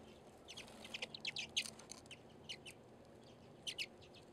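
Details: Redpolls, tough cold-weather finches, at a seed feeder in Anchorage, Alaska, on a February day. A quick cluster of sharp, high zapping chips in the first two seconds, then a few isolated notes and a short final burst.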